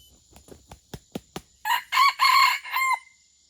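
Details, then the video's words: Four-part crow of an Aceh red junglefowl used as a pemikat lure for wild birds, preceded by a series of sharp clicks or taps, then the loud broken crow ending in a short falling note. "Ayam Hutan Aceh “ Pemikat “"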